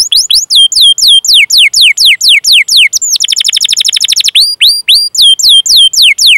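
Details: Canary song meant as a training lure: repeated downward-slurred whistles at a steady pace, a dense rapid trill over about a second, then upward-sweeping whistled notes.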